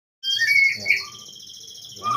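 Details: White-rumped shama (murai batu) from Cipinang Muara singing: loud clear whistled notes around the upper-middle range, a bright high trilled band over a second, then a brief pause and a fresh whistle.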